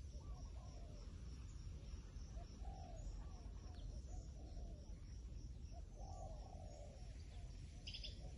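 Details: Wild pigeon giving low, hollow, drawn-out coos in loose groups with pauses between, accompanied by a steady shrill insect whine and low rumble, with a brief chirp near the end.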